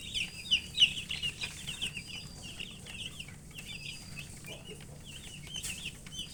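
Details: Colour chicks thirsty for drinking water, a flock of young chickens giving quick high peeps, loudest and clearest at the start, then fading into a softer, busy chatter of overlapping chirps.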